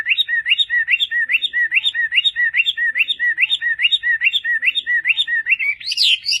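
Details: Hwamei singing for training other birds: a fast, steady series of looping whistled notes repeated over two per second, each rising then dipping, closing with a brief burst of higher jumbled notes.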